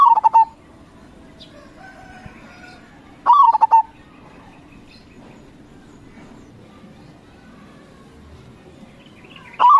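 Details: Crossing-type local zebra dove singing vigorously to draw answers from local doves: identical short phrases of a rolling coo and quick pulsed notes, about three seconds apart, with long quiet gaps and faint background hiss.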